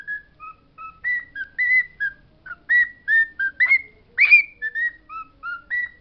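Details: A pet bird sings known words as a lively chain of short whistled syllables, mostly level or gently falling, with one louder, harsher rising phrase near the end; quiet room background.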